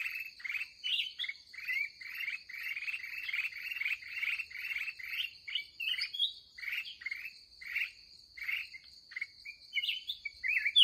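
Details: Fired-up wild red-whiskered bulbul recorded at the day's last trapping session; dense chattering chirps in quick rhythmic runs, mixed with a few rising whistled notes, over a constant shrill insect-like tone.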